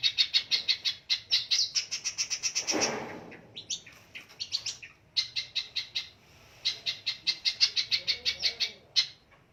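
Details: Long-tailed shrike fighter bird in full song: fast evenly spaced chip notes in rapid series, broken by a brief harsh burst and short pauses, then resuming in quick rhythmic runs.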